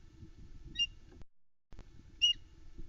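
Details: At the Loch Arkaig osprey nest just before noon on 21 May 2020, as the male brings the hungry female her first fish, a headless trout, an osprey gives two short, sharp, high, slightly falling whistled chirps about a second and a half apart, over a low rumble of wind.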